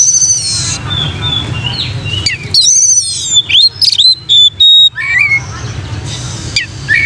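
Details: Oriental magpie-robin in loud, energetic "gacor plonk" song, used as material for training other magpie-robins: varied high whistled notes, sweeping slurs and sharp clipped phrases separated by short pauses, over a low rumbling background.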